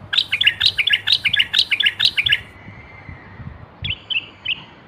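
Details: Moroccan common bulbul of North Africa, a garden bird noted for its sweet whistling voice, gives a fast run of bright chirped notes around two to four kilohertz, about two per second. A thin drawn-out whistle follows, then a few short notes, with low rumbling below.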